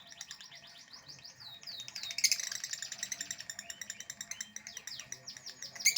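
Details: Lovebird chattering in the ngekek style, with quick squeaky notes and upward-sweeping chirps that build into a denser, louder stream of harsh twitters.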